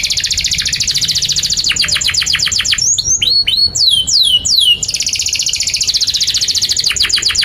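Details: Canary singing continuously, offered as tutor song for young canaries: high rapid rolling trill, a slower rattle of descending notes, a burst of sweeping slurred whistles, then the fast high trill resumes.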